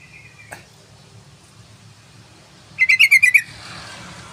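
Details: Yellow-vented bulbul song, a long lure recording for provoking birds: after near silence and a single soft click, one quick bubbly phrase of about seven rich, harmonic chirps in under a second, then a faint hiss.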